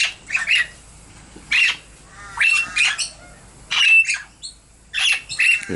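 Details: Captive Princess parrot chicks, newly out of the nest box and flying, in December, give harsh, raspy squawks in short bursts roughly every second, high and scratchy, with brief pauses between.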